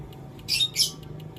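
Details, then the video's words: White-headed munia giving two short, harsh, high chirps about a third of a second apart, each a brief noisy burst, over a faint low hum. "Burung Emprit Haji"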